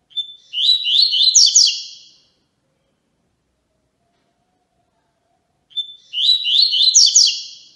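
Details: Tui Tui song of a Yellow-bellied seedeater, for training young birds: two high phrases roughly five and a half seconds apart, each a thin whistled start then quick buzzy rising and falling notes, quiet between.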